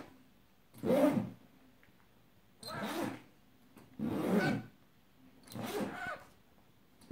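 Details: Pet rainbow lorikeet imitating a zipper: four harsh, rasping broadband bursts, each about a second long, spaced roughly 1.5 seconds apart, with quiet room between them.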